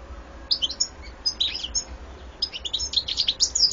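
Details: Goldfinch song with a few scattered sharp chips, then a rushing, tinkling run of high twittering notes in the last second and a half, over soft low hum.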